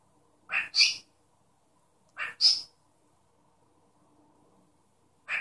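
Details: Cockatiel copying a human sneeze indoors, giving paired sharp breathy bursts, a softer puff then a louder hiss, repeated about every two seconds, with a third starting at the end.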